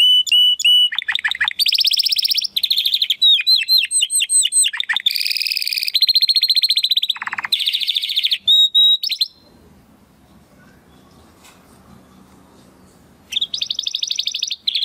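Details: Canary of the Timbrado Español breed, a 2020 male from rated parents, singing training song: steady whistles, rolling metallic trills and falling slurs, a long quiet pause, then a renewed trill.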